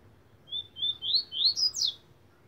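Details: Caged double-collared seedeater (coleiro) singing a short phrase of five high whistled notes, the first two level, the rest sweeping upward and quickening, over a faint low hum.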